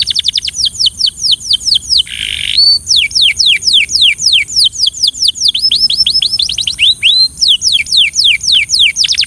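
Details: Belgian canary giving training song: rapid series of high down-slurred whistled notes, about four per second, broken once by a short harsh buzz, then more sweeping whistles and brief trills, with faint steady hiss.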